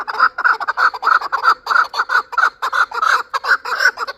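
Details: Last year's young chukar partridge from Qavoq in Shurobod giving loud, steady, repeated chuck notes, roughly two or three per second, in a continuous rhythmic series.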